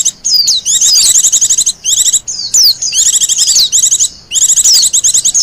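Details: Wild Japanese white-eye, heard as a lure and master song for training, delivers lively, high-pitched twittering runs of rapid notes and down-slurred whistles in close succession.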